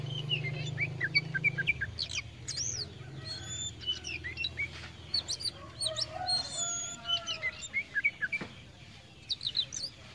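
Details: Oriental magpie-robin of the kacer poci kind, tame and in full song: dense volleys of high whistles, sweeping chirps and trills, with some lower drawn-out notes midway and a low hum at the start.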